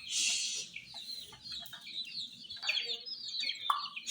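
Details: Domestic chicks keep up thin, high peeping around a toy jeep, opened by a hissing noise burst, with scattered clicks and a sharp knock later.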